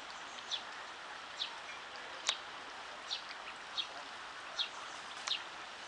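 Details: Mallard ducklings giving short, thin, high peeps, seven in under six seconds at an uneven pace of roughly one every 0.8 seconds, over a steady broadband hiss.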